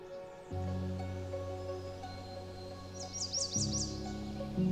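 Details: Male American Redstart singing loudly from a branch at eye level in boreal forest at Lesser Slave Lake Provincial Park, Canada, between May and October; a quick run of thin, high repeated notes near the end over steady background music.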